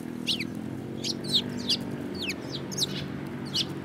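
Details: Sparrows calling: a series of short, sharp descending chirps about every half second, over a steady low hum.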